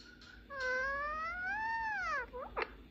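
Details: Pet male ring-necked parakeet talking with a mobile phone in Persian and English while having fun: one long, clear, harmonic vocal sound that rises gently and then falls over about two seconds, followed by two short squeaks.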